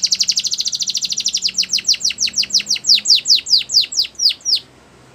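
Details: Belgian canary song used for training young canaries: a fast trill of high notes that slows into a series of downward-sweeping whistled slurs, about eighteen in four seconds, then stops.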